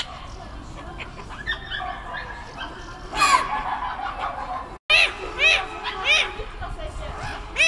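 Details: Black-headed gull (Chroicocephalus ridibundus) on Kotlin Island, 18 June 2018, giving harsh, rasping rising-and-falling calls, a burst midway then four or five in quick succession, over a low background rumble.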